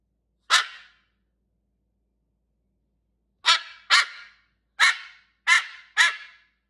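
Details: Pet cockatoo cuddling with its owner gives a single harsh, raspy squawk, then after a pause five more short grating squawks in quick succession, each about half a second long, in a quiet room.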